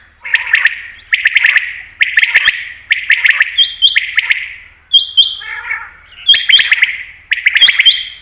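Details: Common quail (batair) call used for hunting: short clusters of sharp, clicking, echoing notes repeated about once a second, with a few higher whistled tones joining in the second half.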